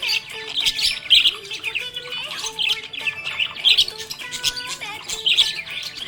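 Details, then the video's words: Happy budgerigar chirping: busy, high twittering and chattering chirps in quick bursts, louder peaks every few seconds, over steady background music. "Happy budgie chirping sound"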